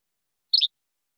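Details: First song type of a Yellow-bellied Flycatcher, akin to Least Flycatcher's che-bek but rougher and less crisp, delivered as one short, high-pitched, two-parted raspy burst in otherwise silent surroundings.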